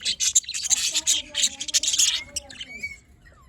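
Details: Budgerigars chirping in the morning: dense, fast, high-pitched chattering and tweeting from several birds, with bursts of sharp squeaky notes, then fading to a few thin whistles near the end.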